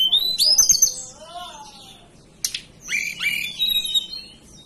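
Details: {'caption': 'Hill blue flycatcher native to the Banten and West Java highlands opens with a loud rising whistled phrase over a lower sliding whistle, then after a short gap delivers a quick jumble of high slurred notes.'}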